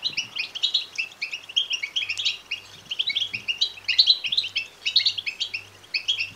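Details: European goldfinch nestlings begging, a call used to stimulate male goldfinches to sing and mate: steady, fast stream of high, sharp twittering chirps with a faint low hum underneath.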